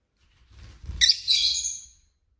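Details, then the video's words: A single shrill, scratchy chirp from a pet lovebird kept indoors, lasting about a second, with soft low bumping and rustling just before it. "Lovebird Craziness (singing & chirping & fighting sounds)"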